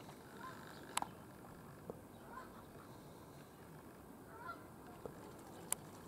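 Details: A few domestic ducks seen at Hendre Lake, St. Mellons, giving short, harsh honking calls at intervals over constant low-pitched background noise and occasional clicks.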